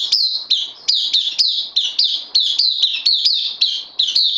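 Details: Bulbul newly arrived on loan, kept in a cage, repeating loud clipped whistles that drop in pitch, about three every second in a steady unbroken run.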